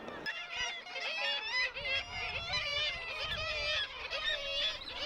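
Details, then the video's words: Dense chorus of Black-legged Kittiwakes at a harbour nesting cliff at the end of the breeding season, young birds present: many nasal, wavering, high bright gull calls overlapping without pause over a faint low murmur, heard while waiting for a morning pelagic boat trip in Yorkshire. "At the moment I'm just passing time, waiting for things to happen, and behind me you can hear lots of kittiwakes."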